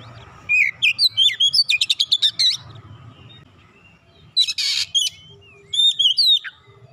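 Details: Oriental magpie-robin (kacer) song for luring a silent bird to sing: a run of whistled notes and fast buzzy trills, a pause, then a harsh burst and further sweeping whistles.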